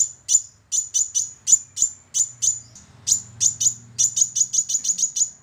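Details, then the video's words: Sunbird lure song meant to prompt a reluctant bird to sing: a rapid string of piercing, very high clipped notes, spaced at first and then quickening into a fast run, over a soft low hum. "Pancingan Kolibri Wulung Malas Bunyi"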